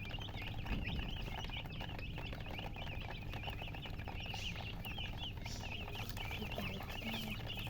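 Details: Just-hatched chicken chicks chirping loudly, a dense chorus of high wavering peeps overlapping continuously against a steady background hum.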